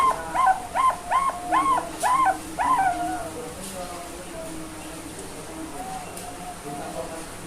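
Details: Young Bangkok-type zebra dove kept at a bird farm in Kebumen, Central Java, Indonesia. It gives five arched, squeaky notes, roughly two a second, over the first three seconds, then fainter, flatter sounds follow.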